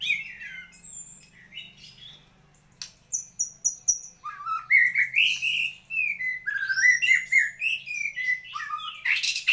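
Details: A white-rumped shama sings a varied, rich melody: high whistles, a run of sharp clipped notes, then fluid rising and falling warbled phrases.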